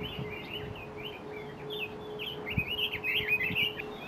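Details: Red-billed leiothrix, a specified invasive alien species, on Mount Kanuki, Numazu, Shizuoka, Japan, delivering a lively continuous warble of short slurred whistles that builds toward the end, over a constant low electrical-like hum.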